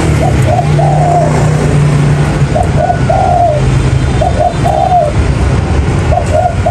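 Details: Lure recording for trapping spotted doves: mellow coo phrases, two quick notes then a longer slurred coo, repeated about four times, with a loud low droning hum throughout.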